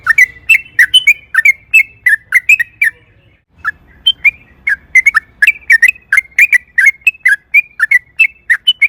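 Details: Yellow-vented bulbul's lure song for prompting another bulbul to sing: a long series of warbled, slurred, whistled notes given at a brisk rhythm with only one short pause across nine seconds.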